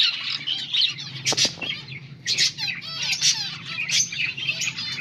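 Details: Group of finches chirping while eating green food, recorded August 17, 2024; busy high twittering with sharp clicks or taps around the first and third seconds and a low background hum.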